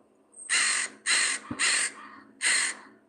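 An American Crow gives four loud, harsh caws, each about a third of a second long, in an uneven series over three seconds.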